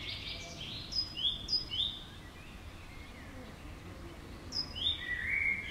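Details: Common swifts flying past a house, giving shrill, high screaming calls in short drawn-out bursts, several overlapping as birds pass, with quieter gaps between passes and a low background hum.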